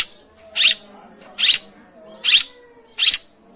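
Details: Long-tailed shrike, recorded to prompt a silent bird into singing: four short, buzzy, grating notes, evenly spaced about every 0.8 seconds, in a quiet room-like background.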